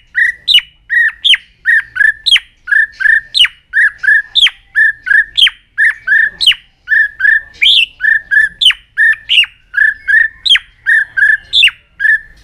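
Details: A White-rumped shama delivers a very long, unbroken run of loud, harsh notes, each ending in a sharp downward slur, about three a second with no pause, while flicking its tail in an aggressive display; the song is used to provoke other shamas.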